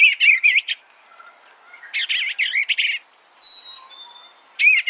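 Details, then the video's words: Gentle Eastern bluebird warbles come in three short bursts of wavering, slurred notes separated by gaps, with faint high tones in between. "Suara Burung Eastern Bluebird - Eastern Bluebird Bird Sound"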